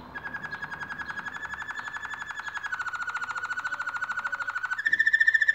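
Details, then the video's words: Canaries singing while building their nest: a fast, even trill of rapid repeated notes held for several seconds, dropping slightly in pitch midway, then switching to a brighter, higher, louder roll near the end. "canarios haciendo el nido y cantando"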